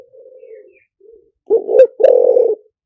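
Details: Spotted dove giving decoy song in the liu tan style: soft low coos at first, then a loud phrase of two quick hooted notes followed by a long, slightly falling, rough coo.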